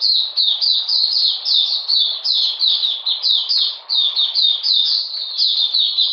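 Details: Oriental magpie-robin song in cold rainy conditions, June 2020: high, ringing whistled notes, each dropping in pitch, repeated quickly and evenly in a long rhythmic series with slight dips in volume.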